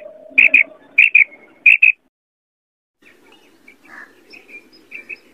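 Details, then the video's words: Female quail from a set of calls used for hunting quail in wheat crops: three crisp high double notes in quick succession, then silence and a few faint distant chirps. "Female Quail sound | Batairi ki awaz | Madi bater ki awaz | Kirk| بٹیری کی آواز"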